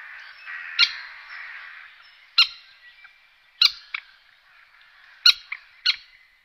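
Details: Common moorhen alarm calling: sharp, abrupt 'kek' notes spaced irregularly one to two seconds apart, some doubled, with a soft hiss and a faint murmur underneath.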